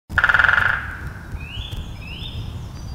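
A woodpecker drums one fast roll of about a dozen sharp knocks in under a second, fading at the end. A faint rising whistle from another bird follows over a low rumble.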